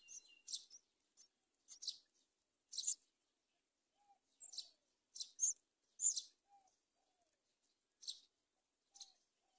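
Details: Myna at a nest in a palm tree, the mother bringing locusts to feed her chicks; sharp high chirps in short bursts, about a dozen spaced irregularly, with a few faint lower notes between.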